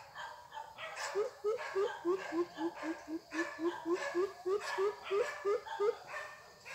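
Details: Young greater coucal being trained at the weekend as a decoy bird to call in wild birds for trapping: a steady run of deep, hollow hooting notes, about three per second, with faint background rustling.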